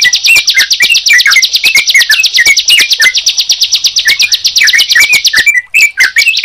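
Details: Prinia and yellow-vented bulbul voices combined: quick rattling high notes pulse continuously while lower bubbly chirps drop in between, ending with a few scattered notes.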